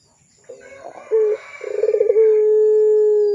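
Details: Lure recording of a lively pelung Barbary dove for young birds: soft murmured notes, a short clear coo, then a quickening series of pulses that smooths into a long, level, low coo still sounding at the end.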